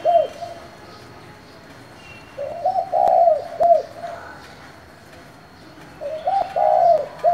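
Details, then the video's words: Spotted dove in local-type voice calling to stir up other doves: repeated low coo phrases, short stuttered notes leading into a longer swelling coo and a clipped final note, phrases spaced roughly four seconds apart. "Cu gáy giọng thổ gọi, thúc kích bổi nhanh nổi"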